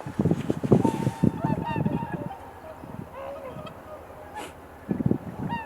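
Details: Swans calling at Kotoku-numa pond, Japan, during the dawn blue hour. A few bugled, harmonic calls rise over low rumbling wind buffeting and muffled bursts, picked up by a camera's built-in microphone.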